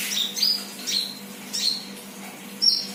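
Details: Young sunbird, not yet trained, uttering a few isolated piercing high chirps with pauses between them, over a faint steady background hum.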